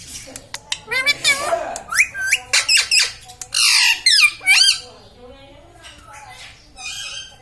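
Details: Talking pet green ringneck parrot, at home, saying words like mummy and papa: a quick run of squawky, word-like syllables with curving, bending tones, then quieter squeaky notes toward the end in a small room.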